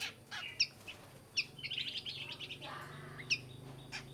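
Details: Black-crested bulbul song played as a lure to call birds: short bright chirps and quick warbled notes at a high pitch, some sharp clicks, over a steady low hum.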